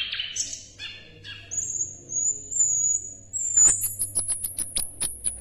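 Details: Song of an Asian brown flycatcher (sikatan londo), recorded for tutoring songbirds: a few buzzy chirps, then a long very high thin whistle held about two seconds, ending in a rapid series of sharp ticking clicks.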